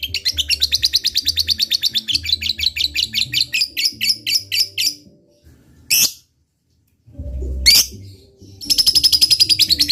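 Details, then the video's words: Fighter lovebird giving ngekek meant to provoke a rival into answering: a rapid pulsed chatter for about five seconds, then a silent gap broken by two brief loud bursts, before the rattling trill resumes, over faint low tones. "LOVE BIRD FIGHTER GACOR NGEKEK RAJIN,pancingan lovebird paling cepat di respon musuh"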